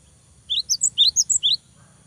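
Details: Cinereous tit song used to stir young birds to sing daily: one quick phrase of about seven crisp, high notes alternating upper and lower pitches in under a second, with a low background hum.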